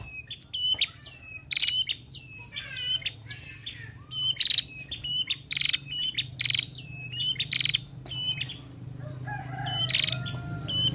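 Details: {'text': 'Busy female ashy prinia, played to prompt prinias to sing: rapid run of short high chirps with quick downward flicks, broken by dry clicking bursts and a few scratchy trills, over a steady low hum.'}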